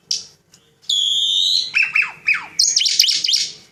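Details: Caged Javan pied starling singing: a sharp chip, then a long steady whistle, several harsh descending slurred notes, and a closing burst of scratchy, rattling chatter.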